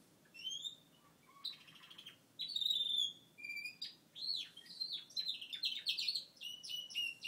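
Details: Pet male Gloucester canary after his moult, singing a lively sequence: whistled notes, a buzzy trill, then fast repeated arching chirps that run together into a continuous warbling phrase.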